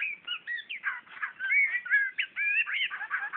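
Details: Magpie-robin in Brunei, 2013, singing at its own reflection in a mirror. A loud, rapid run of varied whistled phrases, slurred notes rising and falling almost without pause.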